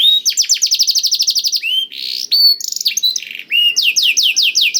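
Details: Canary tutored on blackthroat song, used to make canaries sing: a fast high trill, a rising whistle, a buzzy rattle and short chips, ending in repeated sweeping downward notes.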